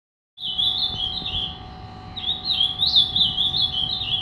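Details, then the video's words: A three-year-old caged Ultramarine grosbeak singing in an angry style: a continuous, high, warbling phrase of slurred whistles that rises and falls, with a steady electrical hum and low room noise beneath. "Azulão zangado"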